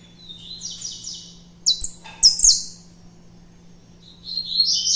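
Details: Captive saffron finch of a mutation, still wary of the phone filming it, sings in short, spaced bursts of high, bright chirps and buzzy trilled notes over a faint steady low hum.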